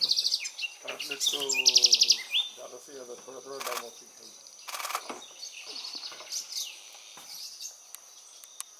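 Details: An amorous pair of spectacled parrotlets at Laguna de Sonso near Cali, Colombia, on 9 July 2019, give quick, high, scratchy chirps in rapid bursts, while a person's voice murmurs underneath during the first few seconds.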